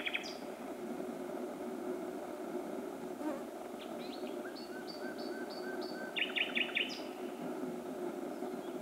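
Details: Common nightingale (Luscinia megarhynchos) singing at night in Myttäälä, Pälkäne, 6–7 June 2016, 23:24–00:29: varied phrases of rich whistles, a series of repeated high piping notes, then quick emphatic chirps, over a steady low rumble.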